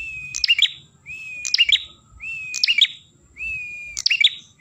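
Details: Ashy tailorbird singing, played to attract birds: four cycles of an even, drawn-out whistle that breaks into a sharp, twittering flourish, roughly one cycle per second and a bit, with a faint low background murmur.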